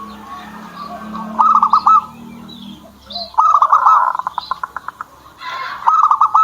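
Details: Kept zebra dove singing: three bursts of rapid, bubbly staccato notes, each under a second, around two seconds apart, with a low steady hum early on and faint chirping birds in the background.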